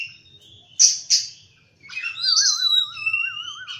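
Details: Oriental magpie-robin singing in the morning: two loud chirps, a pause, then sweet whistled notes over a low, steadily wavering trill.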